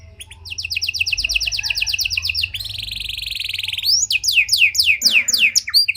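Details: Panda canary singing a luxurious cengkok-style song, used as a lure to provoke and train other canaries: a rapid high trill of repeated notes, then a dense buzzing roll, then loud downward-sweeping whistled notes repeated several times a second.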